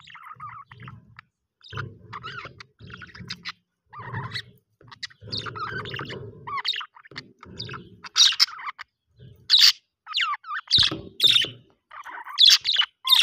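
Budgerigar chatter: quick warbled twitters, clicks and sharp squawks running together in an uneven stream.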